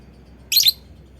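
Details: A single sharp, high double-pulsed chirp from a lovebird, given as a lure call to set other lovebirds singing along.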